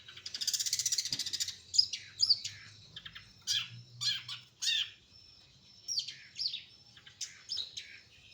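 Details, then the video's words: Local cendet (long-tailed shrike) of Kutai Barat, East Kalimantan. It opens with a harsh, buzzy rattle lasting over a second. Then come spaced, scratchy chirps and short warbled notes at high pitch, with a soft low hum behind. "Suara Cendet Asli lokal Kalimantan Timur... Kutai Barat"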